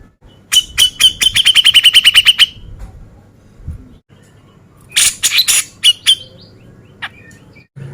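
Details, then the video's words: Male Grey-cheeked Bulbul, called cucak jenggot, singing in the beset ngepik style for contest-bird training: an accelerating trill of short ringing whistles, followed after a pause by a cluster of harsh chattering bursts and a few single notes. "Cucak Jenggot Gacor Mewah Beset Ngepik Cocok Buat Masteran Burung Lomba"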